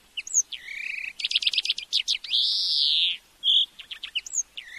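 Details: Dense European greenfinch song from a tutoring recording for training a bird to sing. Twitters and quick trills surround a long, loud, nasal wheezing note, with chirps afterwards.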